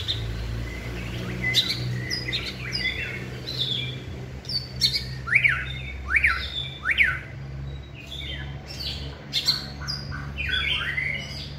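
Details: Caged white-rumped shama hung up for singing training: scattered sharp clicks and high notes, a run of three loud up-down chevron whistles midway, then more chattering phrases over a low hum.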